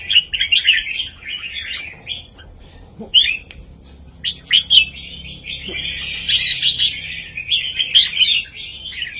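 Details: Southern-style master song of a red-whiskered bulbul, played to teach young birds and rouse others: short warbled phrases separated by pauses, then a longer, busier run with a hissy, buzzy high burst partway through.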